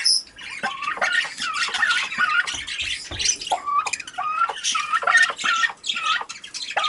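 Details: Pet cockatiels during a visit between two birds: loud, harsh squawks and rising-falling whistled chirps in quick irregular series, bright and scratchy, with occasional faint thumps.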